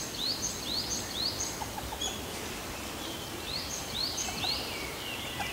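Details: Male and female Eurasian teal calling: short, bright, upslurred whistles in quick runs of three, with a soft hiss of background noise and a few faint lower notes.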